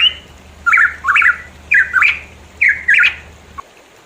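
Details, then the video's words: Singing pitohui recorded around mountains of East Java, Indonesia: pairs of warbling whistled phrases, each dipping then rising, four in a row, followed by a faint click and quiet. "pancingan ampuh burung pitohui"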